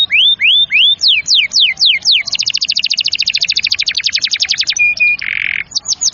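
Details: Canary singing to spur young and reluctant canaries into song: curved whistled notes, then a long rapid rattle of clipped repeated notes, ending with two flat tones and a buzzy burst.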